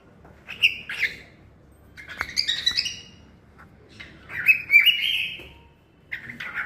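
A cockatiel sings in lively bursts of chirps, whistles and warbled notes.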